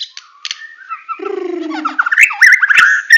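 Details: Song of a white-rumped shama, Medan type, full tembakan: soft scattered whistles give way to a low buzzy slur, then a climbing series of quick, loud warbled notes.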